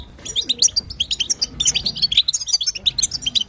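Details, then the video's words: European goldfinch female chatter of the batbata and sastasa style, played to set a silent male singing; quick, sharp, high-pitched twitters and tinkling notes tumble steadily across the whole stretch. "بتبتة وستسته حسون تجعل الحسون يغرد"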